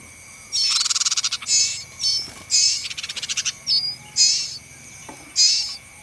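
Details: Pin-striped tit-babbler in the wild giving high, rapid rattling chatters mixed with harsh scolding bursts and short whistled notes, against a steady high insect hum.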